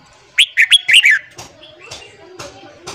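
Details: Red-whiskered bulbul morning song, used to train and fire up newly caught bulbuls: one quick burst of five bright, slurred whistled notes, then quieter clicks and faint chirps.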